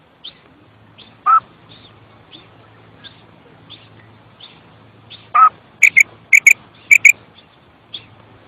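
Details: Female common quail kirk call: after soft scattered ticks and two lower squeaky notes over a low hum, three loud, high paired notes follow in quick succession.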